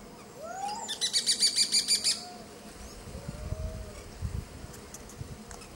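Grey-breasted parakeet giving a rapid burst of about eight harsh, screechy notes lasting a second, followed by fainter chatter and low background rumble.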